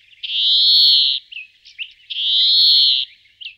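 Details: A European greenfinch at Florya gives two long, wheezy, buzzing notes about two seconds apart, each lasting about a second, with a few brief chips between them.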